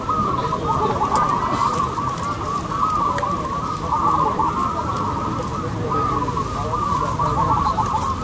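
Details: Zebra doves of the local type competing in song, a thick unbroken chorus of many cooing birds at an even, steady loudness.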